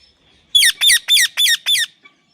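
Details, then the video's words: Pet talking parrot imitating speech such as 'mummy': five loud, harsh, harmonic syllables in quick succession, each sliding downward, spread over about a second and a half, then quiet. "talking parrot mummy"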